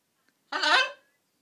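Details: A pet blue-and-gold macaw, male and just over 12 months old, having one of his moments of laughing, giggling and saying hello, gives one harsh, raspy, buzzy squawk about half a second long. Nothing else is heard.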